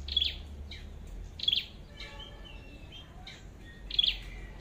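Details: Flowerpecker with a red head, recorded while being trapped using a decoy bird: three crisp, high clicking chips spaced over four seconds, faint chatter in between and a low rumble early on.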